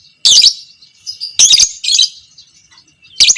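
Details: Fighter-type lovebird, biola PB creamino colour, chattering long ngekek used to train other lovebirds: loud, harsh, high-pitched rattling bursts about every second, with a steady thin whine behind.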